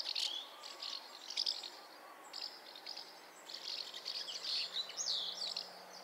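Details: House martin (Delichon urbicum): rapid series of high, buzzy chirps and twitters in clusters, with brief gaps between bursts and a quiet background.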